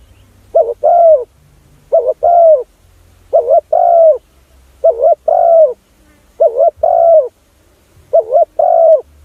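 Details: Spotted dove decoy call for attracting other doves: steady series of six coo pairs, each a clipped double note followed by a longer soft falling coo, repeated roughly every one and a half seconds.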